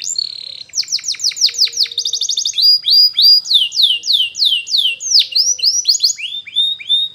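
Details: Training song of a Spanish Timbrado canary, made of quick series of downslurred whistled notes, a short rapid rattle, then more bright descending notes repeated about three per second.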